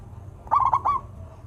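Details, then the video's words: Local zebra dove singing to prompt lazy doves: one brief bubbling trill of four quick linked notes over low background rumble. "perkutut lokal gacor suara merdu - bikin bunyi perkutut yang malas manggung."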